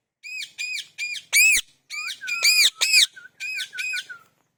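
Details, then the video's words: Parrot making natural calls: a rapid series of about ten harsh, arched squawks with bright overtones, one louder shriek midway and a drawn-out whistled glide woven through the later notes. "Amazing Parrot Natural Calling Sounds"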